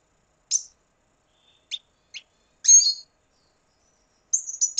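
Red siskin song: high, thin twittering chirps and short buzzy trills in scattered bursts over about five seconds, with quiet gaps between.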